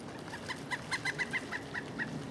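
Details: Winter call of a pileated woodpecker at Duke Island Park, January 25, 2011, captured on a Panasonic HDC-SD60 camera: a loud run of about ten ringing, harmonic wuk-like notes, swelling then easing, over low background noise.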